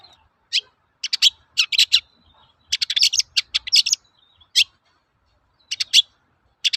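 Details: Energetic 'toet-toet' lure song of a long-tailed shrike for training birds: clusters of rapid high chirps and buzzy notes in bursts separated by short pauses.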